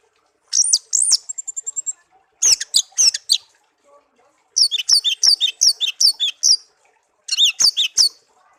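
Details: Hand-reared pet songbird, one year in captivity, sings high swooping notes, a quick ticking trill, then repeated phrases of paired rising-and-falling chirps separated by short silences.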